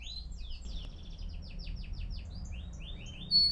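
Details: Canary song for training young birds: a soft rolling series of short downward-sweeping notes, repeated quickly, with a sharp high whistle at the end over faint background hiss.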